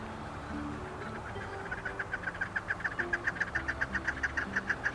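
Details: Introduced chukar partridge in the Kamloops area gives a quick run of harsh, clucking chuck notes, about three or four a second, swelling louder over a steady low rumble.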